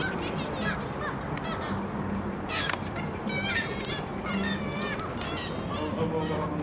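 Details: Gulls at the Baltic, Tyneside, 2 April 2023, giving scattered harsh, quavering calls in short bursts, several birds overlapping mid-way, over a constant low hum of city background noise.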